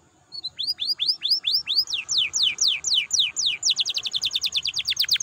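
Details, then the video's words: Canary song used as a lure to stimulate other canaries to sing: rapid series of bright notes sweeping downward, speeding into fast even trills toward the end, high and clear. "PANCINGAN KENARI BIAR GACOR AMPUH MERANGSANG BUNYI"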